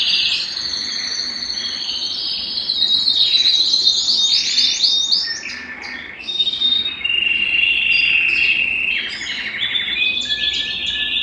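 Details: Singing Belgian canary, meant to stimulate males and bring females into breeding condition; a long varied high warble mixing rapid trills, sustained whistled notes and rolling tours that change every few seconds.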